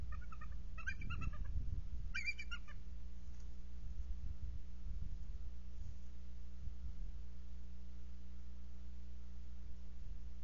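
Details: Bald eagle at the nest in January, a female's chortles: two short bursts of rapid stuttering high chips early on, then quiet over steady low hum.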